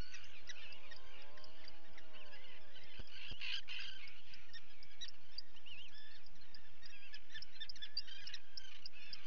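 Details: Common guillemot colony at chick-feeding time, 28 June 2020: constant high, twittering chatter over a low, drawn-out groaning call in the first seconds, with steady colony and background noise.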